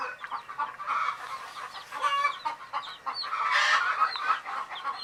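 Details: Sleepy hen chicks peeping in a crowd: quick, irregular twitters and short rising cheeps, loudness waxing and waning, a fuller burst of chirping toward the latter half.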